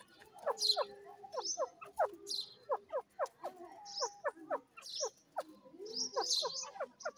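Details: Teetar, a francolin bred in captivity: clipped, rhythmic notes repeated in quick bursts with brief pauses, mixed with high squeaky chirps and a sustained low hum in places.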